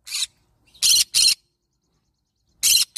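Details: Loud, rasping shrieks of a yellow-sided green-cheeked conure parrot at close range: one short cry, a strong back-to-back pair, then more after a brief silence.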